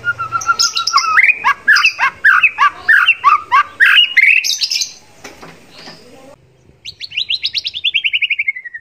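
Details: Contest white-rumped shama, 'isian sekebun' tutor song full of mimicry: a steady whistle opens into fast, jumbled chattering phrases climbing higher. After a pause, a rapid series of bright notes slides steadily downward.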